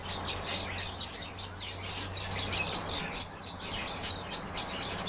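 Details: Several European bee-eaters (Merops apiaster) give a dense chorus of short, high, rolling chirps that overlap continuously, with a low steady hum underneath.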